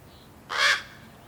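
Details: Young common raven (Corvus corax), hatched April 1st 2022 and fledged May 15th 2022, waits impatiently for parents to feed it, giving a single harsh, raspy begging caw about a third of a second long; otherwise quiet.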